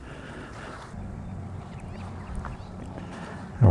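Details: Low wind rumble recorded on a photo-walk through Buckleys Hole Conservation Park, ending in a sudden loud knock, with no animal voice heard.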